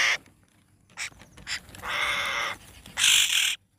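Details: Young hill myna giving harsh, hoarse screeching calls: a short burst, then a longer grating call of over half a second, then a loud rasp near the end, with soft clicks in between.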